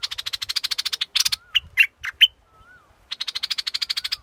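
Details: Scarlet-backed flowerpecker giving rapid runs of sharp, high ticking notes, about ten per second, broken by a few louder separate chips and a faint low whistle from another bird before the ticking run resumes.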